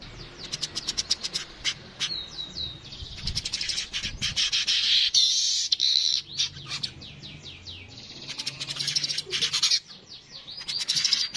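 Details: Streaked weaver giving high, sharp ticking chirps in quick bursts, mixed with sizzling buzzy passages and short descending sweeps, all very high-pitched, with faint low background rumble.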